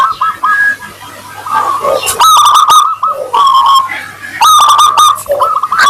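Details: Local Zebra dove singing in the 'crystal voice' style as a lure for other doves to reply: quieter rough opening notes give way to two loud bursts of ringing, stuttering coos about two seconds apart.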